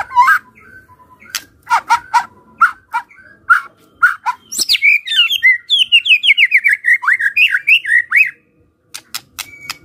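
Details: Fighter-style kretekan from a white-rumped shama, used to make quiet birds respond: sharp isolated clicks, then a rapid chattering series of downslurred notes for about four seconds, then more clicks.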